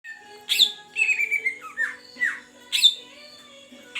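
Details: Greater green leafbird, a big wild-caught bird from the Beutong forest of Aceh, kept in care for one month, singing vigorously: loud downslurred whistles and burry chatter notes in bursts, with a faint steady low hum behind.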